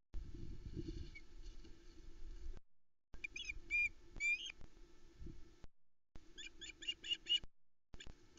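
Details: Osprey at a Loch Arkaig nest in Arkaig Community Forest, 12 July 2020, calling in alarm at an intruder after a trout delivery. Clusters of piercing, high whistled notes break out in two quick series over rumbling background noise and hum.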